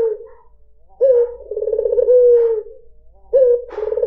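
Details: A white dove (puter putih) coos as a lure for other birds. A faint opening coo is followed by a fuller phrase: a pulsing trill that glides into a smooth, lowering note. Another phrase starts at the end.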